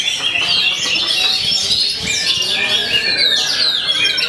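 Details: Magpie-robin imitating white-rumped shama to fend off opponents, pouring out continuous high, varied chirps and quick downslurred whistles in a crowded chorus of similar birdsong.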